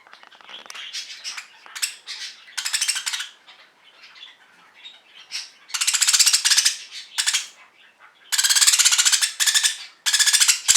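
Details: A pet budgerigar lets out harsh, grating screeches in loud bursts, broken by softer warbling chatter and quick chirps in between.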